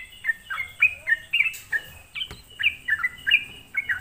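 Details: Sooty-headed bulbul lure song meant to rouse other bulbuls, made of short liquid downslurred notes in quick uneven succession, with a brief click near the middle and a constant faint high hiss.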